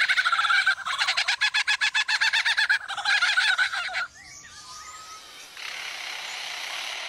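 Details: Lyrebird in a forest imitating a chainsaw: a harsh, rapidly pulsing mechanical buzz lasting about four seconds, followed by a thin whistled note and a steady rushing hiss.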